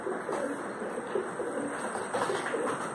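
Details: Pigeons fighting while feeding give soft, low coos that roll out in short bursts about once a second, muffled under steady broadband hiss and scuffling.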